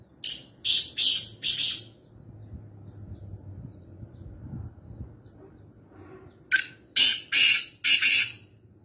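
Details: Black francolin, or kala teetar, heard at home in Nawabshah, Pakistan: a series of three rasping, harsh notes, a pause with low background rumble, then four more grating notes in a rapid run.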